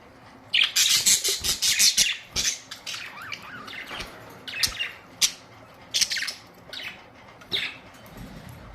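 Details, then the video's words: Budgerigars, colourful parrots recorded April 19, 2023, giving bursts of harsh, high squawks and chirps in uneven clusters, with quieter gaps between flurries of chatter. "Budgies beautiful colourful parrots"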